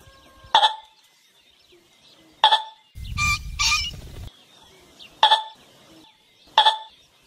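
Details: A golden pheasant calling to court a mate gives four harsh, sharp, metallic calls about two seconds apart, with a brief rough rushing noise in the middle.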